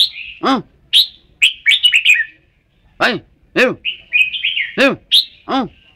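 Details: Red-whiskered bulbul song of quick warbled phrases and slurred whistles, mixed with loud, repeated, lower nasal calls from other birds.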